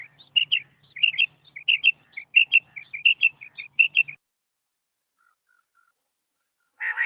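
A desert quail gives quick, high, chirping notes in pairs, repeated steadily for about four seconds, then a pause and one brief burst.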